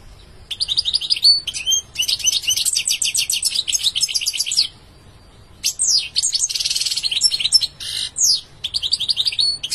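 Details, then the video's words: Goldfinch song of rapid tinkling trills, slurred whistles and a buzzy rattle, broken by a pause of about a second before resuming with sweeping notes and twitters. "Beautiful goldfinch singing"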